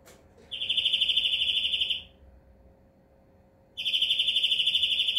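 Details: Greenfinch song with a long even trill of rapid pulses, a pause of nearly two seconds, then a second identical high trill beginning.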